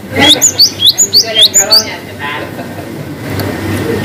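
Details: Cinereous tit singing a long-whistle variation meant to lure silent birds into song: a fast series of rising high whistled notes, each with a lower accent, lasting about two seconds before background noise and one faint note.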